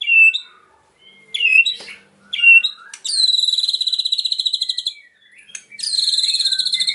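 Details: White-rumped shama singing: short rising whistles and sharp notes first, then long steady trills of rapid high buzzy notes that imitate cililin, separated by brief pauses.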